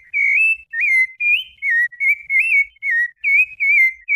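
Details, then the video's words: Clear fluted whistles of a Rufous-bellied thrush singing Brumado-style song, each note sliding up or down, delivered in an even, rolling sequence with short gaps. "SABIÁ LARANJEIRA BRUMADO CANTO FLAUTEADO"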